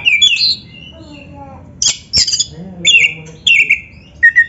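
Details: Captive Oriental magpie-robin training song: whistled slurs and a low descending note, then sharp clicks and scratchy, broken bursts with short gaps between.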